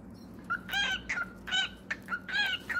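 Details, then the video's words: Cockatiel calls: a handful of harsh, harmonic chirps spaced roughly half a second apart, rich and slightly raspy, over a faint background hum. "Enchanting Cockatiels Singing Various Songs"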